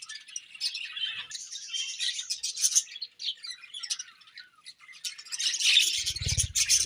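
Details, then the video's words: Budgerigars feeding in the morning keep up continuous high warbling and rapid chirps, with a low rumbling thump near the end. "Budgies Morning Feeding and Chirping Sounds"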